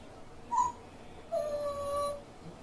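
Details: Grey parrot with an odd, characteristic voice: a brief sharp squawk, then after a short gap a longer steady whistled tone held nearly a second, slightly falling, in a quiet room.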